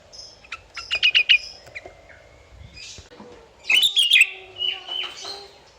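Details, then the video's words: Sooty-headed bulbul (kutilang) in lively full song, used to provoke rivals into singing: two bursts of loud, bubbly whistled notes around a second long, separated by softer chirps and a thin whistle. "Kicauan Burung Kutilang Gacor Cocok untuk Panggil Lawan biar Ikut Ngoceh"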